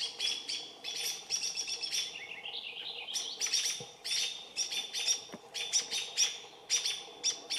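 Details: American robins harassing a barred owl, calling sharp, high-pitched clipped notes in fast runs, interrupted briefly by a thin rising whistled phrase, then dense agitated chips resume; a couple of soft knocks heard.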